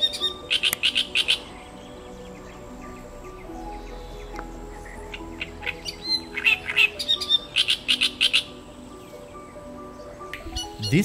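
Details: In a Hungarian pond and lake wetland, a Great Reed Warbler sings loud, deep, throaty, harsh, scratchy, grating phrases of chattering notes in bursts of three or four, with pauses between, over a soft musical hum.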